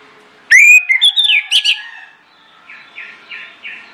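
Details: Orange-headed thrush singing as a lure to set other birds singing. One loud whistled phrase opens with a rising slur and breaks into quick warbled notes, then fades into four soft, evenly spaced notes.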